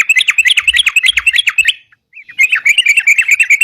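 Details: Sooty-headed bulbul in lively gacor song, kept for use as a lure to catch birds: rapid chattering runs of bright, slurred notes, about three per second, broken by a short pause before the chatter resumes.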